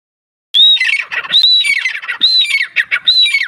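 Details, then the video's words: Grey francolin calling: loud harsh high squawking phrases, each starting with a clear whistled note then scratchy chattering, repeated roughly every second. "Gre farcolin sounds"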